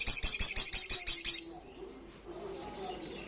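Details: Olive-backed sunbird, a fast run of sharp high chirps repeated about four times a second for over a second, then fading into quiet room noise.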